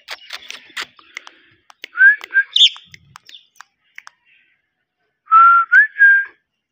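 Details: Green parrot voicing sharp clicks and short chirps, then a couple of bright, slightly rising whistled notes, a pause, and a final three-part whistled phrase, with no other sounds in the background.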